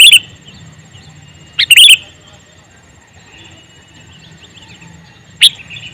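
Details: Male sooty-headed bulbul calling: three loud, sharp bursts of bubbly notes, one at the start, a double burst near two seconds and one near five and a half seconds, with quiet pauses and a faint low hum between.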